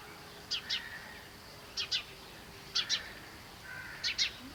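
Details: Himalayan bulbul (yellow-vented) in Kashmir: short sharp chirps given in pairs, a doubled note roughly every second, with a faint whistled tone and steady background hiss.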